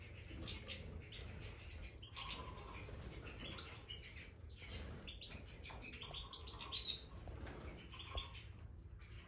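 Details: Caged Major European goldfinches on new bird sand chatter with sharp high chirps and a brief whistled note, calls scattered irregularly among constant rustling and scratching.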